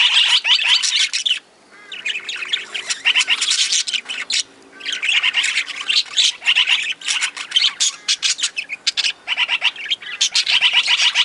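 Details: Caged budgies among aviary parakeets and lovebirds give a loud flock chorus of harsh squawks and rapid chirps in bursts, with two brief near-silent gaps, around 1.5 and 4.5 seconds in.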